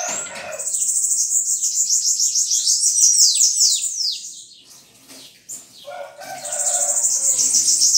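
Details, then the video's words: Bananaquit singing a long, very high, hissing trill of quickly repeated notes with sliding whistles, fading into a quieter stretch before another sharp buzzy burst resumes. "Sibite Capitão"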